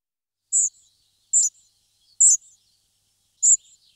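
Spotted flycatcher giving four thin, very high 'tsee' notes, roughly one a second at uneven spacing, each trailed by a faint lower click; nothing else heard.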